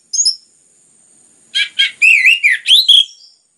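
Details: Dense, lively song of an orange-headed thrush used to provoke other songbirds into singing: a quick high note, then a fast run of rich, warbled whistles that slur up and down, loud and clear against silence.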